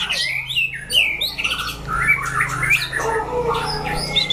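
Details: During a chảo lửa fighting test, a white-rumped shama gives a busy sequence of swooping whistles and quick slurred phrases, dropping to lower warbled notes near the end over a steady background hum.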